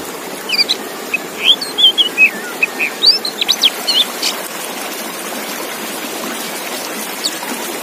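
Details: Male Oriental magpie-robin, a tutor recording for raising breeding condition: a varied run of clear whistled notes, short slurs and quick trills in bursts over about three seconds, then faint background hiss and distant chirps.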